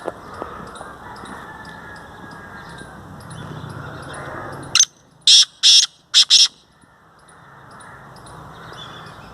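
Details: Black francolin calling in Sindh, Pakistan: after a quiet stretch, five harsh, grating bursts come in a quick, uneven run lasting under two seconds, over faint background hiss.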